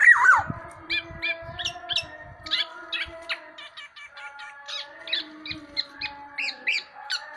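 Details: Black-naped oriole, tame and vocal, opens with a loud slurred whistle, followed by a long series of short sharp chirps and nasal notes over faint low knocks.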